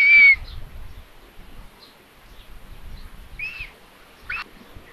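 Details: Common buzzards on a nest in Tiszalök, Hungary, filmed by a live camera at midday on 27 May as the mother brings food for the third chick: a short loud high squeal, then two briefer squeaky calls, with faint twittering and rustling.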